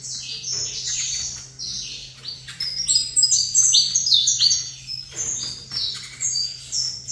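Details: Saffron finch song in a facing pair of birds. Rapid bright tweets and slurred falling notes form tumbling phrases, at times overlapping, with a low background hum.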